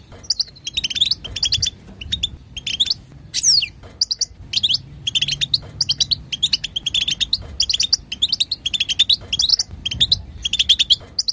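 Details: Female European goldfinch chatter, used to make a caged male sing: rapid series of short, bright, twittering chips and buzzy notes in clustered bursts, with a single falling whistle near the start and faint low background rumble.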